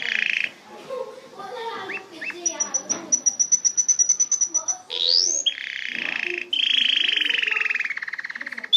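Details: Canary delivering mixed phrases, including a high thin repeated pipe, a rising sweep, and a long dense buzzy trill, with softer faint sounds between.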